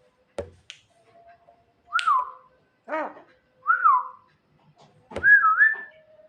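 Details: Night singing of a Javan myna calling its mate: sparse, sharp clicks and falling whistled notes, one hoarse nasal call, then a final wavering whistle, all separated by short silences.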